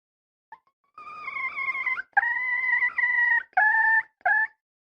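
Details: Red junglefowl hen producing a faint opening note, then several loud, wavering, nasal calls of uneven length. Each bends slightly in pitch and they are separated by short gaps. No background sounds.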